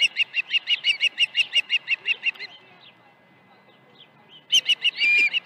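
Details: Osprey at a ranch nest, 21 August 2019, morning of two fish arrivals; a rapid run of short, sharp whistled chirps, about five per second, then a pause before a louder burst of chirps and a drawn whistle.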